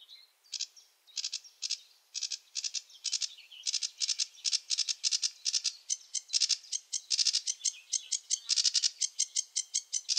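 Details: Sedge warbler singing in wetland, a rushed, chattering song of rapid dry buzzy notes high in pitch, phrases in random order, speeding into dense rattling bursts with brief gaps throughout, no other sounds present.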